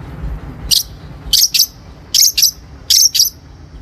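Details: Long-tailed shrike lure recording used for training birds: doubled very high harsh chips in bursts roughly every 0.8 seconds, with a faint thin whistle after the opening note and a quiet background.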